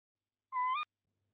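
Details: Tawny owl pair breeding in a nest box at De Mortel, 22 February 2021, with the male bringing prey. One short, harsh call holds steady, then turns upward and stops abruptly.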